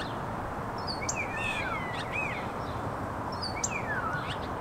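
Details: Three common starlings singing: descending slurred whistles and warbled squeaky phrases, repeated twice, over constant low background noise.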